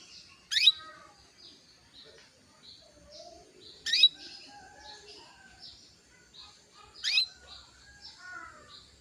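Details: Female canary calling to stir a male into singing: three loud, brief, high sweeping chirps spaced about three seconds apart, over soft background twittering from other small birds.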